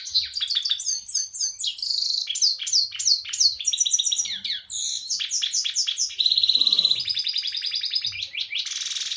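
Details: Pet canary singing: rapid, high chirping phrases with repeated downward-swept notes, changing into buzzy rolling trills and a fast rattle, continuous and bright throughout.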